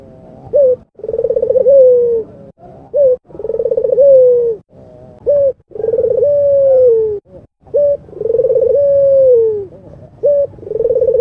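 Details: Albino red-eyed Barbary dove cooing vigorously, recorded to prompt silent doves to coo. A short clipped coo comes first, then a longer rolling coo that slides gently downward. The pair repeats about every two to three seconds with brief pauses.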